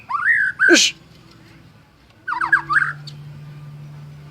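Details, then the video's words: White-rumped shama, called a champion singer, gives two short bursts of quick slurred whistles, the first ending in a harsh downward note, separated by a pause, with a steady low hum underneath. "Murai Batu Gacor Juara: Kicauan Penuh Gaya dan Energi"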